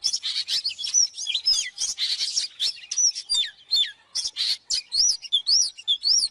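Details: Oriental magpie-robin singing, as a training recording for songbirds: a rapid, varied stream of chirps and buzzy notes ending in several repeated arched whistles.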